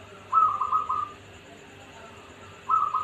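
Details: Zebra dove (gayer), a local bird from Pekalongan, delivering a short stuttering coo of quick clipped notes, then a pause of over a second before another burst begins, with faint steady hiss behind.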